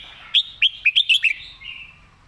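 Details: Clear master song of a red-whiskered bulbul, for teaching birds: six loud, sharp, ringing notes in a quick string, ending in a softer falling warble.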